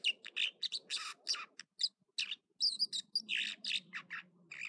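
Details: At Echo Lake in California's Trinity Alps, an American dipper sings in the morning, pouring out loud, high, jumbled chirps and ringing whistles in tight bursts, with a faint low hum beneath.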